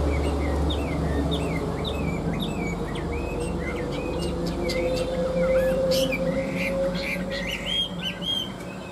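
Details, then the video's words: Two caged Chinese hwamei, tamed for three years, in fighting-style song: a busy run of short rising and falling whistled chirps over a steady background hum and scattered clicks. "Họa mi hót đấu"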